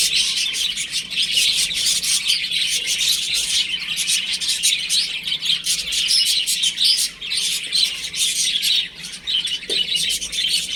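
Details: Chicks playing at home give a continuous chorus of thin, piercing chirps, many birds calling over one another in rapid bursts, with a brief dip in volume near the end.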